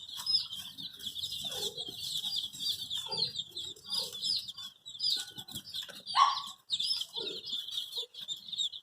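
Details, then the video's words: Baby chickens dyed in many colours, searching for their mother, give a dense high peeping chorus with louder individual cheeps standing out, plus occasional soft lower clucks and taps. "Cute baby chicks chirping sounds|Sounds of Hen kids|Baby chick looking for mother's love"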